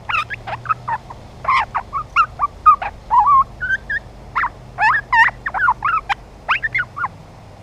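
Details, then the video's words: Young grey butcherbird in full song, delivering quick varied notes that swoop up and down, some with rich overtones, grouped in irregular bursts separated by brief gaps; a soft low hum in the background. "Juvenile Grey Butcherbird singing his heart out"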